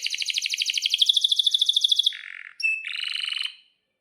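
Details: Canary singing a long roll, used as a lure to set off other canaries: a rapid, even pulsed trill lasting about two seconds, then a lower buzzy burst, a clear whistle and another short roll.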